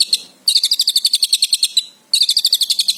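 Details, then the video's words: Javan long-tailed shrike in lively full song: high, sharp chirped notes in rapid even series of about twelve, with short pauses between bursts. "cendet Jawa gacor full isian"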